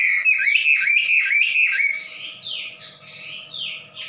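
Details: Wambi, a bird famed in Indonesia since the 1990s for its very loud voice, singing a fast run of repeated whistled notes that shifts into sweeping, slurred falling phrases; a steady hum runs underneath.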